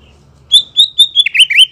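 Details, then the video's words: Lure recording of white-rumped shama song meant to provoke a reply: four high, steady whistled notes followed by quick rising and falling warbled slurs, sharp and loud against near silence. "memikat MURAI BATU agar NYAUT dan NGEPLONG"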